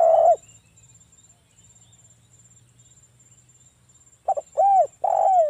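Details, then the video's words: Local spotted dove singing a lure phrase in ngalas voice to provoke answering doves: a trailing coo at the start, a long pause with a low hum and faint high whine, then a stuttered double note and two arched coos. "SUARA BURUNG TEKUKUR ini PANCINGAN TEKUKUR suara Ngalas"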